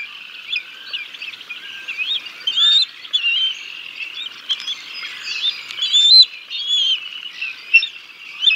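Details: Decorah North nest, 6 May 2022: on a live camera an adult male bald eagle feeds the chicks a fish, then the female takes over. A busy stream of high, twittering chirps with sharper squeals rising above it.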